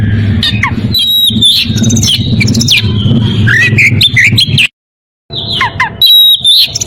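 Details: Oriental magpie-robin in breeding condition calling a rival; sharp whistles and chattering notes, a brief silent break, then loud whistled phrases resume over low hum.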